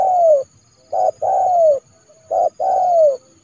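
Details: Trained decoy spotted dove calling in January to draw a rival into the yard for trapping; clear, close phrases of a short note followed by a long, smoothly descending coo, repeated about every one and a half seconds.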